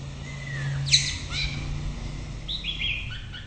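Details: White-rumped shama singing: a thin rising whistle, then a sharp high note near one second, followed by bright warbled phrases late in the clip, over a steady low hum.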